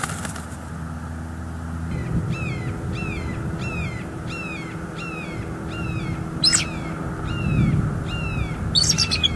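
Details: Male bald eagle at a nest in northeast Florida on 7 December 2022, captured by a live nest cam, waiting for his mate. He gives a series of short downslurred chirps, repeated about twice a second, over a low background rumble.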